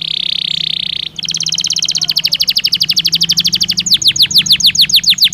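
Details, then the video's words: Belgian canary song used as a training stimulus to make the bird sing: a steady tone, then fast repeated chirps speeding into rhythmic descending whistled notes, about three per second, with a low hum underneath. "Som de estímulo que faz o canário belga responder com voz mais clara"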